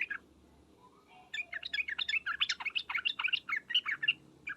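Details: Sooty-headed bulbul, mixed with ngriwek uplik-uplik calling: dense bursts of bright chirps and short warbled notes, rapid and overlapping, after a quiet first second.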